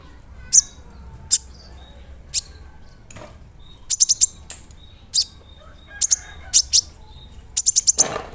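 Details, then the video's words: Lure song of a large, vocal brown-throated sunbird, used to provoke others of its kind. Isolated high, sharp chirps come at uneven gaps, sometimes as quick clusters of three or four. "PANCINGAN KONIN GACOR BODY BIG SUARA NYES BIKIN KONIN LAIN TAMBAH EMOSI"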